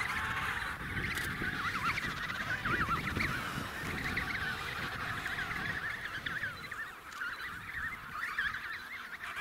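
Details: Wavering, warbled calls from several emperor penguins at Snow Hill overlap in a busy colony chorus. A rushing low background of wind runs throughout.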